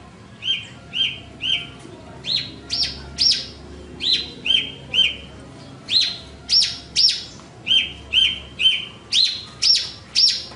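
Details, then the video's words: Horsfield's bush lark singing a fast run of clear, high whistled notes, some swooping up then down, delivered singly and in pairs at about two per second across the whole stretch. "Suara Burung Branjangan"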